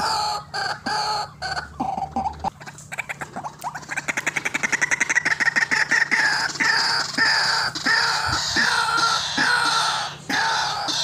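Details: Calling white-breasted waterhen, used as a trapping lure: a few scattered croaks, then a quick accelerating series of dry pulses that runs into continuous harsh, layered croaking.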